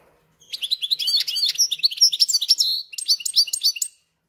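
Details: Caged hybrid of goldfinch and canary, adapted a few days after arriving, pouring out three and a half seconds of rapid chattering, varied twittered phrases with quick repeated notes.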